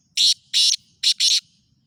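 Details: Harsh, rasping call of a black francolin recorded at Khushab: four loud buzzy notes in under one and a half seconds, short, long, short, long, the last two run close together.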